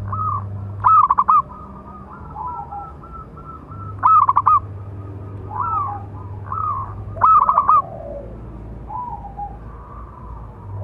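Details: Zebra dove of local stock, a strong-voiced singer used to provoke other doves: three loud staccato cooing phrases, each ending in a rolling trill, come about every three seconds, with soft coos between and a low background hum.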